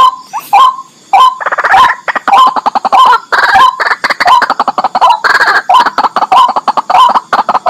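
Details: Loud raucous calls of a white-breasted waterhen (kurawakwak): rapid harsh croaks in runs, some doubled, continuing steadily through the recording.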